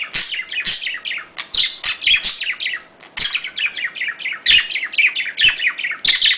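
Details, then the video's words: Budgerigar mating chatter: an unbroken, lively warble of rapid descending chirps, scratchy notes and clicks, loud and steady throughout. "muhabbet kuşu kızıştırma sesi / muhabbet kuşu sesi / muhabbet kuşu çiftleşme sesi / wellensittich"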